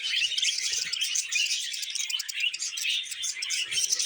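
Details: Budgies singing steadily as they eat vegetables, producing a bright, unbroken high warble of chirps and clicking twitters with almost no other sound.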